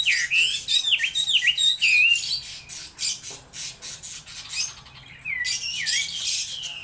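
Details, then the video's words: A laughingthrush delivers loud, looping whistled phrases with dips and rises, mixed with rapid chattering notes, fading briefly in the middle before strong swooping whistles return. "Chim Mi hót đỉnh"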